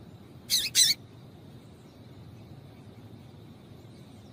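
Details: Calls of a female yellow-bellied seedeater used to get males singing for tournaments: a quick double chip, high and sharp, then a long quiet stretch and another chip starting at the end.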